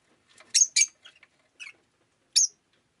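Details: Rainy-day chirping of a pet rosy-faced lovebird: a fast double screech, several softer twittering notes, then one more shrill chirp, all high-pitched.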